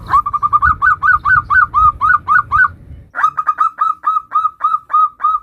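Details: Zebra dove, local variety, giving 'nutut' song as a lure for other zebra doves: two long runs of evenly spaced, crisp arched coo notes, roughly four per second, with a faint background hum in the first run.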